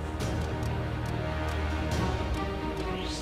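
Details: Dense background music with a steady low rhythm fills the recording, and no animal voice stands out.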